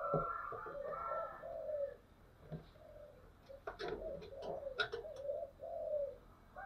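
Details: Lure spotted dove with the 'thổ sấm' voice, meant to provoke wild birds. Soft low coos come in several phrases, with a cluster of clicking noises in the middle.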